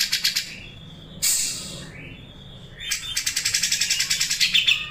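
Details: Grey-cheeked bulbul delivering sharp sewing-machine besetan: a few quick high chips, a harsh burst, gliding whistles, then a rapid rhythmic run of piercing notes to the end.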